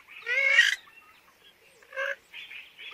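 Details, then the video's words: Purple swamphen lure call for bird trapping: one loud, harsh, nasal squawk, then a pause and two weaker, shorter honking notes. "কালিম পাখির ডাক ২০২১। নতুন কালিম পাখির ডাক। GALLINUL GALITA BIRD CALL 2021"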